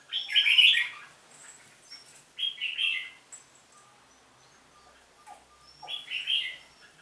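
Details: Red-whiskered bulbul in a singing contest: loud warbled phrase at the start, another near 2.5 seconds and a third around 6 seconds, with faint high chirps in between.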